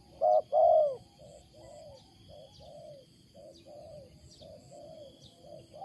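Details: Wild spotted dove, loud, unusual cooing: two strong low coos open the clip, then a run of softer, shorter coo notes follows at an even pace. Faint high ticks sound behind.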